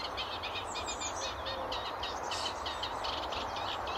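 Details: Eurasian reed warbler singing across a river at Stotfold Mill Nature Reserve, UK, on an early May 2011 morning: a continuous, fast, scratchy chatter of high jumbled notes over a steady broad hiss.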